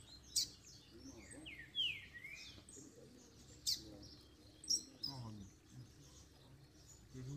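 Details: Double-collared seedeater after its moult, calling and singing to get another bird singing: high thin chirps and quick descending whistled sweeps about every second, with faint human voice low underneath.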